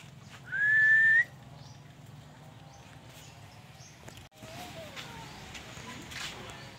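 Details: Caged Black-naped oriole, just moved to a new cage, gives one clear, slightly rising whistle lasting under a second, followed by quiet background with faint rustles and a brief clunk.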